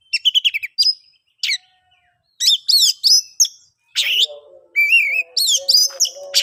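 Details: Oriental magpie-robin song in the ngeplong style, aimed at getting silent birds singing: rapid whistled clusters, then rasping bursts and a wavering whistle, joined near the end by a lower steady tone.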